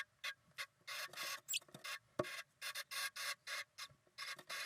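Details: A female Eurasian blue tit, one of a pair in the UK, makes a strange noise: harsh, hissing rasps in short bursts, about three a second at an uneven pace, with a few faint clicks in between.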